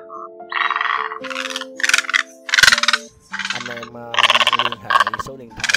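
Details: Egrets, large and small, both sexes, give flock-gathering calls for luring birds. Raspy croaking blocks, each under a second, follow one another closely, with sustained musical tones underneath.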